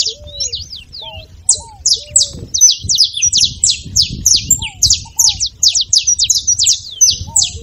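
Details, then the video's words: Saffron finch with a lively song used to get a silent canary singing: a steady stream of quick, high, scratchy chirps, about three per second, continuing throughout. Faint lower curling whistles sound intermittently, with low background noise. "canário da terra com belo canto pra foguea seu canário frio"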